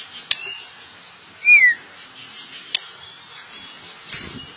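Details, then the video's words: White-rumped shama ("murai medan blorok"), a singing bird said to sing with much variety, gives a single clear, sweet whistle sliding gently downward among a few sharp clicks and knocks in a quiet room. "Murai Medan Blorok Gacor Owor-owor"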